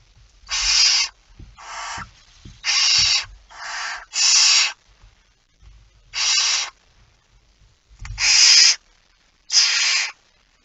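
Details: At a nest in the early morning of 19 September 2019, a barn owl utters nine rough, hissing screech bursts of uneven length in irregular succession, with soft low knocks and rustles between them.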